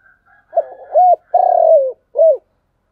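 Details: Spotted dove cooing in thúc gù style: a faint high note, a stuttering start, an arched coo, a long level falling coo, then one short arched closing coo.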